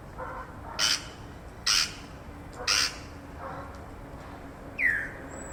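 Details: Grey Parrots in urban Accra, Ghana, possibly escapees, giving three loud, harsh squawks about a second apart, followed by a sharp falling whistle near the end, over a low steady background hum.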